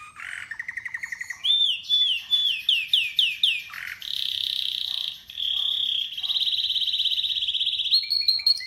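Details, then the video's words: Canary chirping in a varied, loud run: rapid pulsed trills, a series of swooping whistled slurs, then long buzzy rolling trills held for several seconds. "Canary's voice A very beautiful canary's chirping canary's voice"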